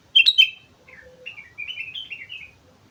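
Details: On Mount Slamet, a sooty-headed bulbul sings in chatty 'gacor' style. It opens with two sharp, loud chirps, then gives a softer, rambling warble of gurgling notes that rise and fall.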